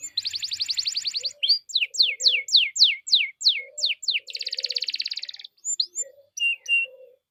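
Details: Canary song played as a lure to prompt other canaries to sing: a fast buzzy trill, then a series of sharp descending whistled notes about every third of a second, another dense buzzing trill and scattered upslurred chirps.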